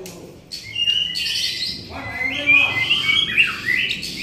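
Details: White-rumped shama singing gacor: a quiet start, then a continuous warble of high whistles and sharp chirps rising in intensity toward the end.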